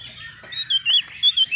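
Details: Untrained young Oriental magpie-robin answering at once, agitated and seeking a rival: a brief run of bright whistled notes near high pitch, three or four short rising and falling phrases close together.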